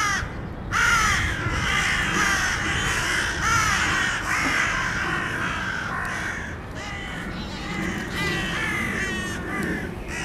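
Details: Fighting crows in a reprisal clash: rough, hoarse caws repeat roughly once a second, sometimes overlapping as several birds call together, over continuous low background noise.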